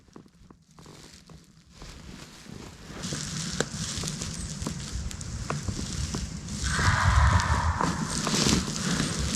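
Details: Crackling and rustling noise rises and swells over a low background rumble, with no animal calls heard.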